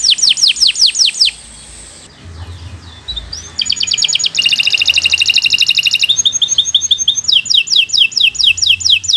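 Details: Canary singing long 'gacor' song for a training recording: quick downslurred notes, then a brief quiet pause with low background noise, followed by loud metallic buzzy trills and rolling repeated phrases.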